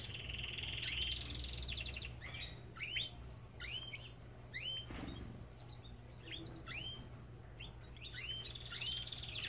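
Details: Belgian canary in an aviary giving a short buzzy trill, then repeated upswept whistled chirps spaced about a second apart, with one brief thump mid-clip and a low steady hum behind.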